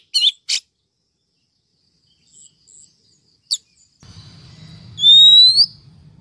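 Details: Female Oriental magpie-robin, 2023 lure for stirring males and catching wild birds: a few brief sharp chips and faint distant notes, then one long, loud whistle rising gently, with low humming background.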